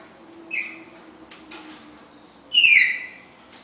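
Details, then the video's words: Pair of red-crested cardinals giving the classic four-note Bagé song; two loud whistled phrases falling from high to mid pitch, the second longer, with a soft faint tone underneath. "Casal Cardeal 4 notas canto Bagé clássico"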